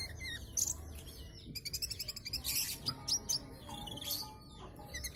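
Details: Ninja sunbird with a brown breast, a tiny tutor bird for other songbirds, in full song packed with imitated phrases: very high, rapid twitters, sharp chirps and short trilled bursts in quick succession over low rumbling noise.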